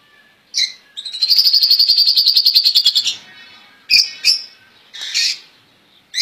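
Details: Caged European goldfinches, praised as flawless royal goldfinch song: short chirps, then a sustained high buzzy trill of rapid pulses lasting about two seconds, followed by scattered sharp twittering notes.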